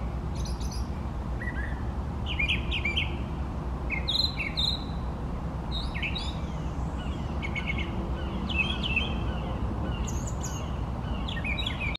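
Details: Brown thrasher, a male singing from trees in open view, moving between three trees during a long bout; varied phrases of rich, slurred notes and sharp chirps, many given in short repeated pairs, over a steady low rural rumble.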